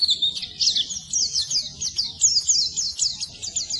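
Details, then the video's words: Softer Oriental white-eye song for training silent birds: a steady run of high, thin slurred chirps in a lilting rhythm, continuing without break. "Suara Burung Pleci Masteran Pleci Full"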